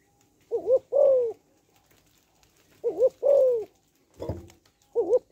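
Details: Hen spotted dove giving her male-stimulating call: repeated low coos, a paired wobbling note then a long downward-sliding one. One dull knock is heard between phrases in a small, echoing room.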